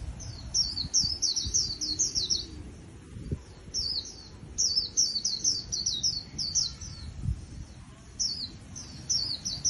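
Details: White-eye trapped from the wild and kept for singing contests gives clear, piercing, high chirps in tight fast runs, repeating bursts every couple of seconds over a quiet background.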